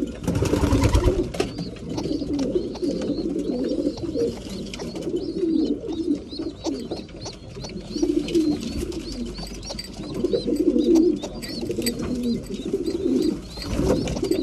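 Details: A loft of breeding pigeons at mealtime keeps up a dense, low bubbling coo chorus that swells and fades, while rows of high, piping chirps repeat above it.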